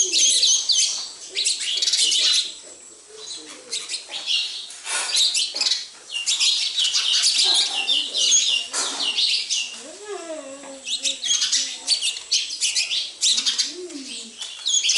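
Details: A house flock of sparrows keeping up long bouts of dense, high chirping, with pauses between bursts and a few lower, wavering calls near the end.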